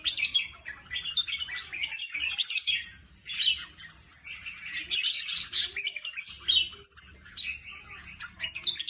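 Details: Red-whiskered bulbul song played to excite caged birds: dense, lively stream of bright warbled and chirped phrases, overlapping almost without pause, with a faint low rumble underneath.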